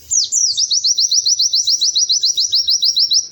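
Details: Pleci (white-eye) pouring out a brisk series of high, upward-slurred whistles, roughly four each second, opening with two longer swooping notes and continuing evenly to the end.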